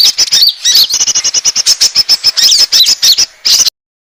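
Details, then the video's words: Asian glossy starling lure call for attracting birds: a quick series of sharp, high chirps, roughly four or five a second, ending abruptly in silence. "suara pikat burung konin ampuh"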